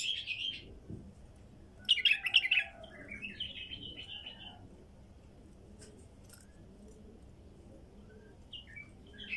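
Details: Female bulbul in the wild: an opening whistled phrase, then a loud rattling cluster of chirps and a warbled follow-up, fading to sparse soft notes over a low background hum.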